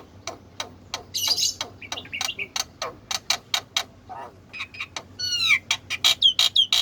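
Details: Black-winged myna singing energetically: a fast run of dry, percussive chack notes, with scratchy chatter and a series of ringing, downward-curving whistles toward the end. A faint low hum is in the background.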